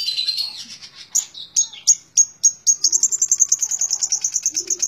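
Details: Tembak ngebren song of a long-tailed shrike: varied warbling and whistles that settle into a long, rapid series of very high, evenly repeated chips.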